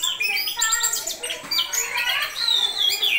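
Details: Orange-headed thrush singing in konslet style: a dense, hurried run of varied chirps, short whistles and sweeping high notes that crowd together with almost no pause.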